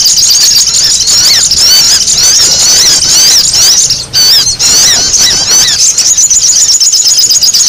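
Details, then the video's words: Lure recording of sogon making a racket: a steady stream of high, thin squeaks and zigzagging chirps, busy and overlapping, with one short lull near the middle. "SUARA SOGON RIBUT UNTUK PIKAT"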